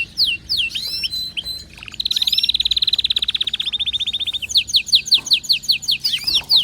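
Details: Excited canary singing a lively song: high whistled sweeps, then a fast buzzy trill of rapid repeated notes lasting over two seconds, followed by quick rising chirps and more sweeping whistles; faint low hum beneath.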